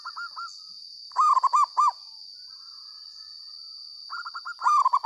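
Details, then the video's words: Loud-voiced local zebra dove: clusters of soft, rounded coos, first a brief faint phrase, then four clear arched notes, then a quicker rippling series of trilled coos, all over a continuous high electronic hum. "perkutut lokal gacor suara lantang langsung nyamber"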